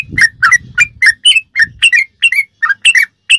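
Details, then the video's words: Ropelan-style song of a sooty-headed bulbul, used for training captive songbirds: about a dozen clear, bright, slurred notes in quick succession, some doubled, with soft low background noise at the start. "ROPELAN BURUNG TRUCUK TERBAIK||PASS BUAT ISIAN¦¦MASTERAN TRUCUK"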